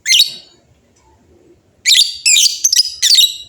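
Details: A group of lovebirds calling back and forth. One harsh shrill burst is followed by a pause, then a dense run of raspy, high chattering notes in quick succession.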